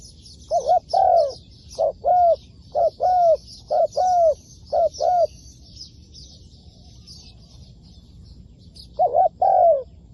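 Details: Spotted dove kept as a decoy bird for trapping, giving low hollow coos in paired notes, repeated about once a second for five seconds, then a pause before a final pair; faint higher chirping from other birds behind.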